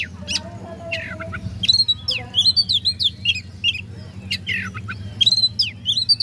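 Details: Oriental magpie-robin singing to provoke rivals: quick runs of high whistled and chirping notes in bursts, over a steady low hum.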